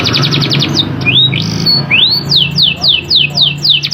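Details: Canary in strong rolling song, used to prompt lazy canaries to sing: a fast trill, then slurred rising whistles and a series of sharp descending whistled notes repeated several times a second, over a steady low hum.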